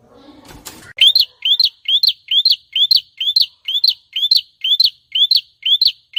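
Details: Prinia song kept as a training recording for songbirds: clear, upslurred whistled notes, each rising sharply, repeated evenly about twice per second with silent gaps between.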